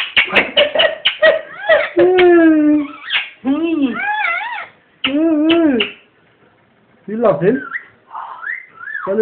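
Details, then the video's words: Pet ringneck parrot indoors laughing: bursts of harsh, chattering notes with stacked rising and falling tones, some hoarse laugh-like sounds, gaps of quiet between phrases, a person speaking softly nearby. "ringneck parrot laughing crazy"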